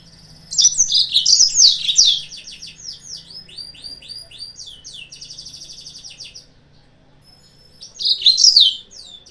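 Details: Song of a yellow-fronted canary meant to provoke rival birds: loud jumbled high chirping, then long runs of rapid repeated swooping notes and a buzzy trill, before another loud chirping burst.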